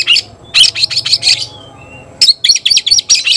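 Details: Oriental magpie-robin (kacer) giving a loud cry that calls an opponent to fight: two bursts of sharp, rapid, high chattering notes, each burst of about five quick strokes, separated by a quiet gap with a faint thin whistle.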